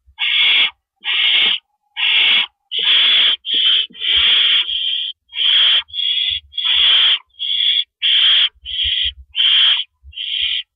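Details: An owl nest before dawn on April 4, 2012, as adults bring and take rabbits. A long, dense run of rasping hisses, some overlapping or broken in two, comes nearly continuously, with soft low thumps behind them.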